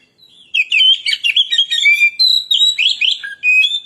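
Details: Oriental magpie-robin (kacer) performing a lure song: an energetic stream of ringing whistles, buzzy chirps and quick trills in short bursts, ending with a pure sustained whistled note.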